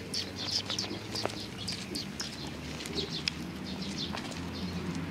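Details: Eurasian tree sparrows gathering on a bench to get food, 3 June 2020; scattered brief high chirps over a steady low droning hum, with occasional soft thumps.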